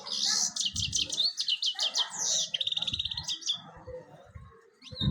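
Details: European goldfinch song heard as loud, fast series of repeated high chirps and buzzy notes, with a steady lower rumbling underneath, fading to quieter twitters near the end.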